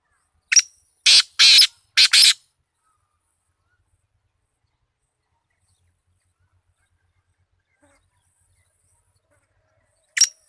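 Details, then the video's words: Kala tetar, the black francolin, calling once: a brief sharp opening note and three hoarse, scratchy bursts in quick succession, then about eight seconds of near silence before a single short note at the end. "Kala tetar _black francolin _tetar _teetar"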